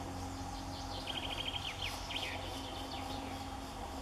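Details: European green woodpecker (Picus viridis) at Świnoujście on 8 June 2014 gives a quick run of sharp, slightly falling notes, then a few more, over a low hum and faint high chirps.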